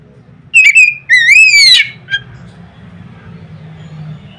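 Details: Oriental magpie-robin singing loudly to prompt others: two strong whistled phrases, the second sliding upward, a brief note after, then near silence with low hum.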